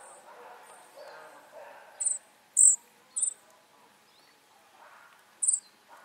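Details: Flycatcher nestlings begging with several sharp, very high hissing squeaks in a quick cluster, then a pause and one more burst, over faint low rustling.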